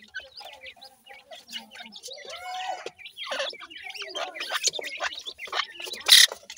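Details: Peeping of grey francolin chicks (dakhni teetar): high, thin chirps and a few downslurred whistles, growing louder and denser toward the end. A loud rustling burst comes near the close.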